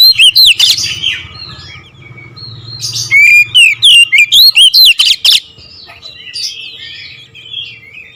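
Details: Oriental magpie-robin delivering nembak ngerol song: varied high whistles at the start, then a fast string of about ten loud, clipped whistled notes, ending in quieter scratchy warbling.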